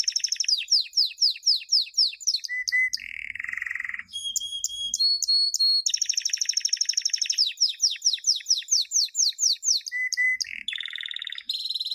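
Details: Canary champion training song for teaching young birds: rapid trilled tours alternating with steady whistled notes, fast descending sweeps, low flat rolls and pure high tones, continuous and loud, no other sounds.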